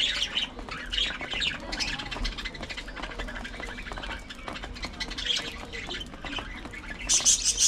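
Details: Budgerigars in an aviary on a sunny spring day chatter with busy, scratchy squawks and bright chirps, several birds calling over one another.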